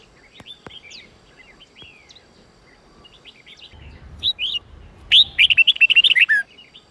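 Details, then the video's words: Red-whiskered bulbul song for voice training, an 8-9-10 note style. Quiet scattered chirps, then a loud burst of about ten rapid, warbled, rising-falling whistled notes near the end, with faint low rumble underneath. "Luyện giọng chào mào hót hay âm 8-9-10"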